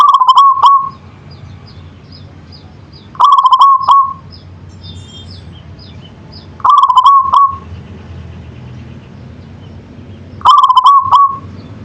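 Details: Zebra dove of local Indonesian type in manggung song, repeating a rolling, trilled coo roughly every three and a half seconds, four phrases in all; soft high chirps of another bird faintly between phrases.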